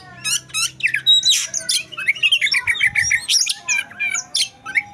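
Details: Oriental magpie-robin singing in fight mode, a rapid jumble of sharp whistles, squeaky slurs and harsh chattering notes, with a steady string of short repeated notes in the middle, almost without pause.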